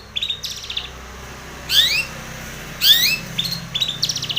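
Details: Calls of a long-tailed shrike meant to draw a rival: brief buzzy trills followed by two loud, harsh rising rasps about a second apart, then more short chattering notes.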